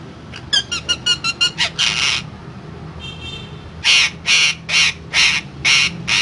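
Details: Parrot rattling off quick stuttering chirps, then a rough screech, a pause, and a regular run of six harsh squawks about half a second apart.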